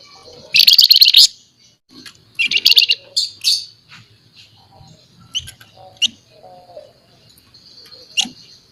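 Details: Scaly-breasted munia giving vigorous 'nyerecet' chatter to tutor and prompt other birds: harsh buzzy rattling bursts early on, then scattered short scratchy notes and high chips.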